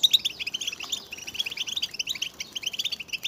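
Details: Several European goldfinches in a group chatter, used to stimulate males to sing, with mating and readiness calls: dense, rapid high twittering notes tumbling over one another, with fast trills and sharp chirps throughout.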